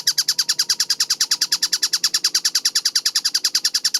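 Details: Kingfisher known as tengkek buto, recorded clearly and fast: steady bursts of high, harsh notes, about eight per second, evenly repeated, with a low faint drone in the background.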